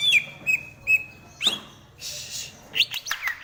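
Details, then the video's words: Greater green leafbird giving a few clear, level whistled notes spaced about half a second apart, then sharper rising slurs and a burst of rapid chirps, with faint background hum. "Perbedaan Kicau Cucak ijo BWI, Kalimantan dan Sumatera"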